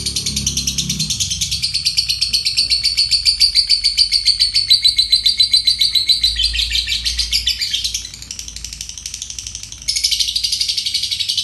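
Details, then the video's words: A fighter lovebird (Agapornis) gives a long, unbroken "konslet" ngekek, used as a lure and song tutor for other songbirds: a rapid, high, buzzy chatter of about two pulses a second that runs on for seconds and shifts pitch near the end. "Lovebird fighter ngekek konslet untuk pancingan & masteran segala burung kicau"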